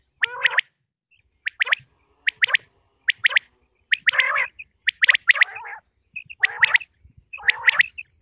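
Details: Common quail (batair) recorded in Pakistan's Punjab: a steady series of clipped liquid triplet notes, each group about every 0.7 seconds, some rougher and fuller-toned, with few gaps.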